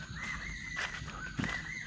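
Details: An Oriental bay owl at night near an abandoned house in Purwokerto, Banyumas, Indonesia, gives long, eerie, slightly rising whistles, one after the other with a brief break, over a faint hiss and a soft thump.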